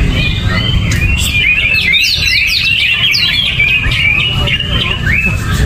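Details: Greater green leafbird kept in a cage with no cover and no banana, singing gerabakan-style: fast rising and falling whistles and chattering chirps, strung together, with low background rumble.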